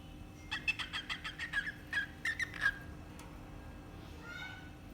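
A cockatiel gives a quick run of bright, clipped chirps, then a softer wavering note trails off.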